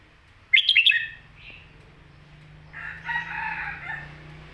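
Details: Red-whiskered bulbul, kept as a cage bird, delivers one rapid whistled song phrase used to teach young birds, then a brief soft note, with a longer hoarse drawn-out call from another bird and a low steady hum behind.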